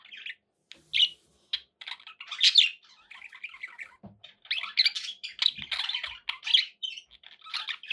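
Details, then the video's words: Scattered sharp chirps from pet budgerigars, growing into continuous scratchy warbling in the second half, with a few faint low thumps. "budgie sounds"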